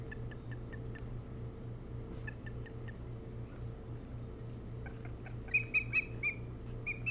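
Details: Osprey at a nest on Hog Island near Bremen, Maine, around 4:36–5:06 am on 3 July 2018, giving faint high whistled chirps, then a louder burst of five or six sharp piping notes, over low electrical hum.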